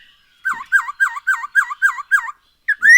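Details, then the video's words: Seven repeated, wavering falling whistles from a black-throated laughingthrush, evenly spaced about a third of a second apart, ending in a loud rising note; used as a lure to make birds sing. "Poksay HONGKONG GACOR SETIAP HARI ‼️Dengan Pancingan ini Bikin Burung Tambah gacor"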